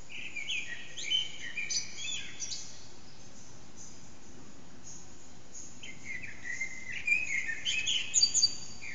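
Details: Blackbird (Eurasian) singing at dawn, about 4:30am, in an echoing backyard, captured with an HTC Desire phone: two bursts of mellow fluted notes and thin high twitters, divided by a quiet stretch of several seconds.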